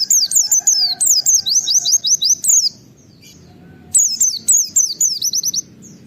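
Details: Energetic wild white-eye 'wit-wit' calling that draws other white-eyes to call: long, fast runs of piercing down-slurred whistled notes, broken by a brief quiet gap, then resuming.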